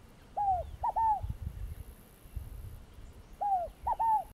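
A scaled dove gives two phrases about three seconds apart. Each is three soft, mid-pitched cooing notes that slur downward, over a low background rumble.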